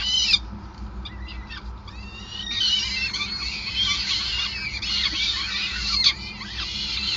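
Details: Peregrine falcons during feeding at the nest, Gasunie building, Groningen, Netherlands, 5 May 2020; a few clicks and brief notes at first, then from about two and a half seconds a dense outburst of shrill, wavering squealing calls.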